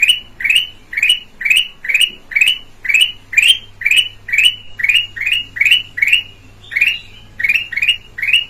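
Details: Black-crested bulbul with red eyes, a Sumatran bird, calling in a clean lure recording: rapid rising chirps, about two per second, in a long even run with one brief stutter, and a soft constant low hum underneath.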